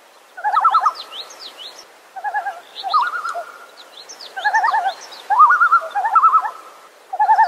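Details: Common loon in the wild uttering quavering, laughing tremolo bursts, rapid wavering notes in short phrases separated by brief pauses, with faint higher chirps from another bird overhead.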